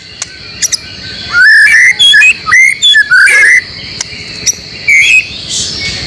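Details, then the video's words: White-rumped shama (murai batu) training recording for caged birds, mixed with material from other species; loud clear whistled phrases rising and falling around mid pitch, fast varied notes in bursts, then a short pause and a final whistle over steady hiss. "masteran murai batu yakin 100% bikin gacor setiap saat"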